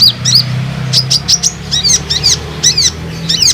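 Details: Olive-backed sunbird lure sound, played so other sunbirds answer and sing: rapid, sliding high twitters with downward-curving notes, packed closely together over a low background hum.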